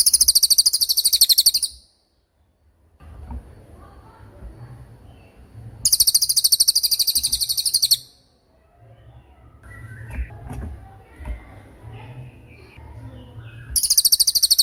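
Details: Repeated cililin tembakan bursts for training murai batu and other songbirds: shrill, rapid high trills of about two seconds each, returning every six seconds or so, with faint background sounds in the gaps.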